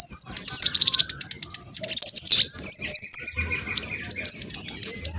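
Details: Fast-singing spotted black sunbird whose busy song draws replies from other birds. Continuous high-pitched twittering with sharp chirps, squeaky slurred notes and short trills, delivered at speed with barely a pause.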